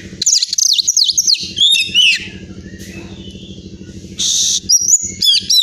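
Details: Prize-winning Oriental magpie-robin from Pemalang, Central Java, delivering rapid zigzag whistles and rising slurred notes, then a harsh burst and more whistling, with a low throbbing hum in the background.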